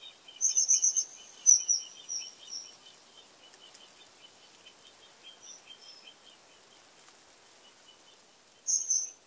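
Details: Common kingfisher of fresh flowing water, uttering a rapid burst of high, piercing whistled notes followed by longer sliding whistles. A softer, lower chattering series from another bird runs underneath, and one more shrill whistle comes near the end.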